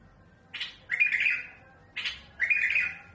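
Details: Bulbul of the mutawwa'a type singing a smooth yet harsh song used for tutoring young birds: two phrases, each a short sharp note followed by a longer rasping, buzzy phrase with a thin whistled thread, about a second and a half apart.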